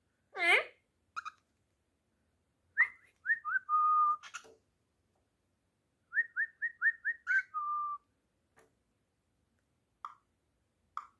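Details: Male cockatiel whistling to impress an Indian ringneck parrot: a clear tune of quick rising notes ending in a long, steady held whistle.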